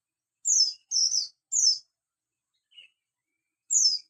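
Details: In the morning, a Javan white-eye of the buxtoni form gives three high, falling chirps in quick succession, then a faint lower note and one more sharp chirp after a pause.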